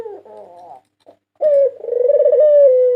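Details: A white dove, the 2022 national winner kept as a lure bird, gives a soft wavering murmur and then a strong held note. A long rhythmic trilled coo follows, sinking slightly at the end.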